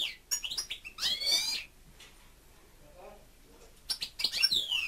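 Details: Caged pet European goldfinch singing fast liquid twitters and buzzy trills in two energetic bursts separated by a quiet gap with faint low background sounds.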